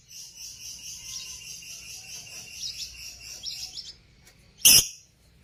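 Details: Parblue African lovebirds kept for breeding make a soft, continuous high twittering chatter for four seconds, ended by one loud, shrill chirp.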